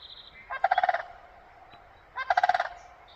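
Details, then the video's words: In spring in northern mountain country, a crane gives two loud, rolling trumpeting bursts, each a quick rattle of about six pulses lasting half a second, spaced over a second apart. "Hello Mr crane,, why are you making noise??"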